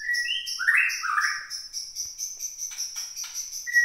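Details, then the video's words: Captive white-rumped shama from Gunung Leuser, Aceh, teased into an agitated song after almost a year of care. Steady high whistles with rich rising and falling warbled phrases, ending on a clear whistled note. "MURAI BATU GUNUNG LEUSER"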